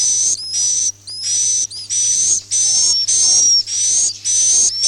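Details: Swiftlet roosting lure, "Masal" style, for bird-house farming: sharp buzzy chirps about twice a second, with upward-sweeping whistled notes and a continuous thin tone, low hum throughout.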